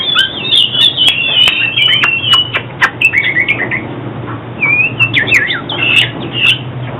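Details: Oriental magpie-robin song used for trapping and song training: a rich run of varied whistled phrases, warbles and sharp chips, continuous throughout with a faint low hum behind.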